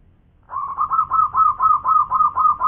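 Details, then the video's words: Zebra dove, local type, singing a loud manggung song: a continuous run of rich rolling coos with slightly rising ends, evenly paced at roughly four per second. "Suara Manggung Perkutut lokal gacor suara keras"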